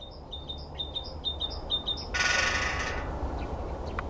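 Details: A great spotted woodpecker gives about a second of rapid, ringing spring drumming on an electricity pylon, preceded by a string of high, thin chirps from another small bird.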